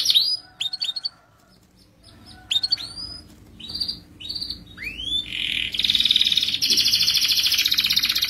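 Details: Lively canary singing a long rolling song meant to draw other canaries into song; bursts of sharp upswept chirps and curved whistles separated by short gaps, building into a sustained, dense buzzing trill at the end.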